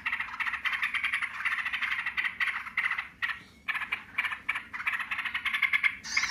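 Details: Yellow-vented bulbuls calling back and forth in the "ngebren" style: long trains of fast buzzy pulses split by short pauses, with a high squeak at the close.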